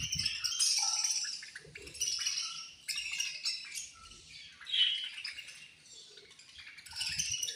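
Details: Budgerigars chattering during feeding time: dense, high, raspy twittering with scattered sharper squeaks and short tonal notes, plus soft low knocks from the cage.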